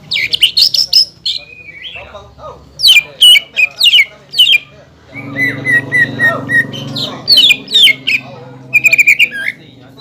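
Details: Energetic green leafbird singing to provoke rivals into song, with imitations said to include kingfisher, magpie robin and shama; steep downslurred chips and squeaks, then a string of level whistles over a low droning hum.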